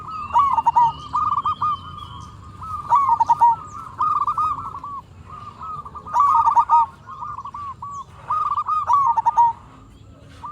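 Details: Local zebra dove singing strongly as a lure that makes other doves respond. Repeated stuttering cooing phrases, each a quick ripple of short notes, recur about every two seconds, with softer echoing phrases and low background hum.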